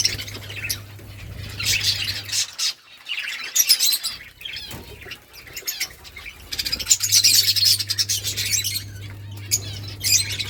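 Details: Budgies chirping in a dense chatter of high, raspy warbles and quick tweets, with wing flutters and a quieter gap in the middle, over a constant low electrical hum.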